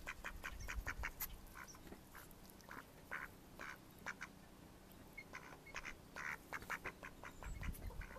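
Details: Mallard ducks in May 2014 quacking in loose clusters of short nasal notes with occasional longer quacks, against low background noise.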